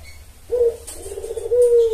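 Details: Spotted dove call for luring males: a brief low coo that begins with a rising note and runs into a sustained, slightly trembling hoot, over a soft low hum.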